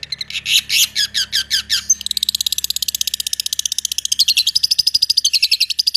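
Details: Long-tailed shrike singing 'roll tembak' style, fast and tight: about ten separate scratchy high phrases, then a continuous machine-gun run of rapid clipped notes for the last four seconds, pitch stepping upward toward the end.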